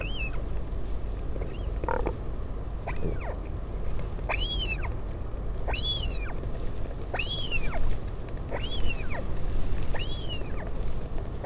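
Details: A parent northern royal albatross visits its chick at the Taiaroa Head colony near Dunedin, New Zealand, on 16 July 2019. A run of about nine arched, nasal whining calls, fainter at first then stronger and regular, over constant low wind roar.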